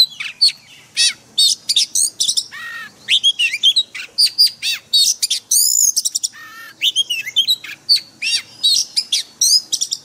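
An Oriental magpie-robin sings a rich, varied stream of bright whistles, sweeping slurs and quick chattering notes, with phrases tumbling one after another and no other sounds.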